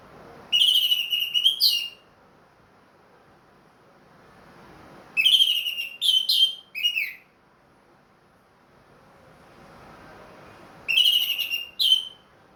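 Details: Orange-headed thrush kept caged and ringed, back in regular song after moult, delivers three loud phrases roughly five seconds apart, each a cluster of rich, slightly harsh whistled notes, in the 'plong' style.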